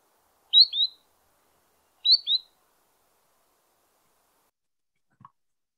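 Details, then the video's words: Spotted Sandpiper, a spring migrant to Missouri wetlands and a compulsive tail-bobber, giving two high, clear 'peet-weet' calls about a second and a half apart, each descending in pitch, then a faint click; a call that distinguishes it from Solitary Sandpiper. "with practice you can learn to distinguish the call of the spotted sandpiper from the solitary sandpiper so i'll play spotted sandpiper for you so"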